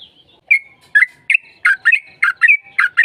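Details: Sooty-headed bulbul in lively song, meant to provoke another bird into answering: a brisk series of about nine rich, bubbly notes, several doubled, each sliding in pitch.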